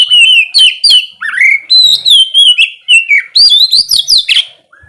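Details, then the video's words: Loud ngeplong song of an oriental magpie-robin at morning, a lure for lazy singers: rapid series of sweet whistled notes, many sliding down, building to sharper high upslurs near the end. "terapi pagi cocok buat mancing kacer malas bunyi supaya cepat gacor"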